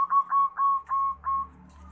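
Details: Local zebra dove singing as a master recording meant to prompt other doves to answer; a clear, mellow cooing of five evenly spaced notes, each a short rising onset followed by a held steady tone, in a quiet setting.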